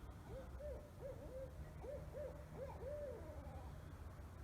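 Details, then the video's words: Owls hooting in the dark around 3 a.m. in a suburban town: a rhythmic run of about eight rounded, slightly rising-then-falling low hoots in quick pairs and groups, over steady faint background hum. "Hear owls hooting at 3 a.m."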